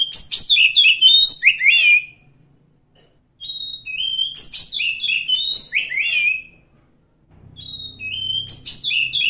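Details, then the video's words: Wild forest oriental magpie-robin repeating loud, varied song phrases of sweet whistles and quick downslurs, with short pauses between them and a faint low hum near the end. "suara asli kacer hutan"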